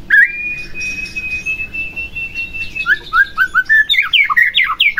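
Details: White-rumped shama song played to provoke another shama into singing: a long steady whistle held for about three seconds, then a fast run of varied whistled and chirped notes.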